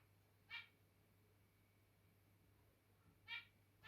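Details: Zebra finches, described as getting a little territorial and later cuddling, give two short nasal calls about three seconds apart. Both are faint and stacked with harmonics, over a steady low hum.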